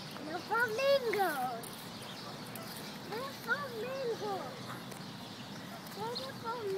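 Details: Flamingos at the Fresno Zoo give short nasal honks in bursts of several arched, harmonic notes, with pauses between groups, while children talk nearby outdoors.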